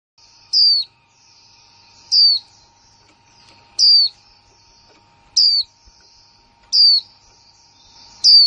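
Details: Female white-eye, newly kept, giving 'kick mộc' and 'líu' notes: a sharp, high, downward-slurring chirp repeated roughly every one and a half seconds, six times, over a steady low electrical hum.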